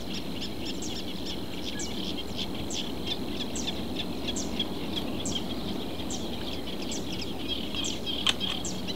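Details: From reeds in southern Portugal, a reed warbler keeps up a long, even chattering series of crisp high notes, a sharp louder click near the end, over a steady hum and rumbling background.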